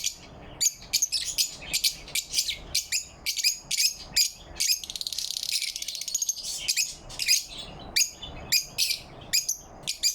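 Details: Lovebirds chirping happily in the morning light on 4 November 2023: sharp, high chirps repeated roughly every half second, with a brief rapid trill near the middle, over a constant low background noise.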